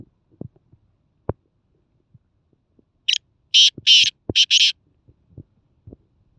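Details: Black francolin in Khushab, Pakistan, giving a harsh grating call of five loud rasping notes in about one and a half seconds, with scattered clicks and knocks before and after.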